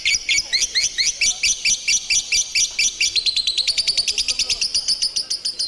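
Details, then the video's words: A lovebird sings a long ngekek run: rapid repeated hooked chirps that speed up midway into a tighter, higher, buzzier trill, keeping a steady rhythmic pulse to the end. "Lovebird singing and chirping sound | Lovebird ngekek ngekek panjang"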